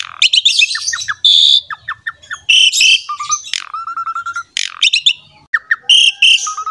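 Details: Chatty Asian pied starling in champion form, played to prompt other songbirds to sing: fast chatter, downslurred whistles, harsh bursts and a run of low repeated whistled notes, with a faint low rumble at times.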